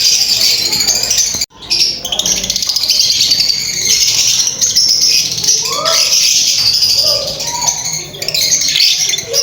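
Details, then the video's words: Lovebirds chirping during mating, a dense continuous chatter of high, shrill chirps and squeaky notes with a few lower rising whistles near the middle, broken by one brief silent gap early on. "Lovebirds chirping sound | lovebirds singing | mating sound lovebirds"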